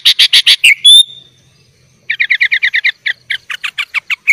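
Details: Sooty-headed bulbul in full 'gacor' song with 'isian' fill-ins, recorded as a master for training young bulbuls: rapid bursts of bright chirps, a high pure whistle, then a fast run of repeated buzzy notes.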